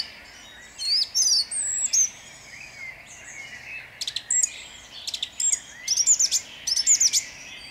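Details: Singing at dawn in Jabłonna on 29 April 2021, a song thrush alternates clear fluty whistles with clipped, repeated sharp notes, each phrase doubled or tripled before a new one starts.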